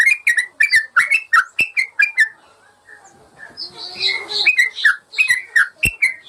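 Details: Master training recording of a yellow-vented bulbul for caged birds that stop singing: a run of liquid, dipping whistled notes, a brief noisier, scratchy stretch in the middle, then more warbled phrases.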